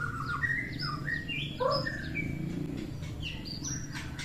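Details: Morning song of a white-rumped shama, meant to rouse fighting spirit: many short whistled notes jumping between pitches, some slurred downward, one lower warbled note, with a constant low background rumble.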